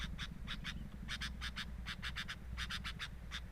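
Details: Calls from a sooty-headed bulbul nest with a camera set beside it: short, bright chip notes in quick groups of two to four, separated by brief pauses, over a continuous low rumbling background.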